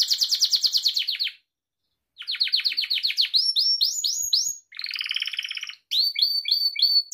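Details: Gloster canary song meant to train pet canaries, opening with a fast rattling trill of repeated notes, then rising whistled slurs, a dense buzzy roll and clipped upward chirps.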